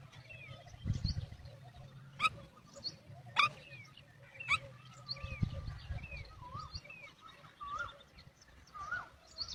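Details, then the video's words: Mother myna calling chicks for feeding; sharp clicks and harsh notes mixed with soft, wavering, looping whistles at an irregular pace over a low rumble. "Myna Babies not replying to Sound of Mother for Feed!"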